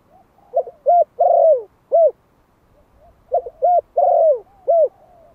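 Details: Caged one-year-old Malai-type spotted dove from Vietnam, a decoy bird calling to lure wild doves. Two phrases of soft coos: short quick notes, a long drawn-out falling coo, then a final clipped note, about three seconds apart.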